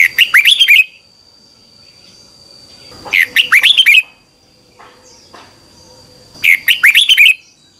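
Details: Red-whiskered bulbul giving its morning training song in the double-voiced 'xoắn tít' twisting style, used as a lure sound to train birds. Three bursts of fast, bright, warbled notes about three seconds apart, with a thin steady high tone underneath.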